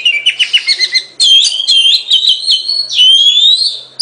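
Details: Singing Oriental magpie-robin: a quick series of short clipped notes, then louder looping whistled phrases ending in a long clear rising whistle.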